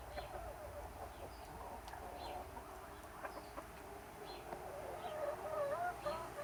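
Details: Chickens and roosters in summertime make scattered soft clucks, then a rising, wavering drawn-out call near the end over a low background hum.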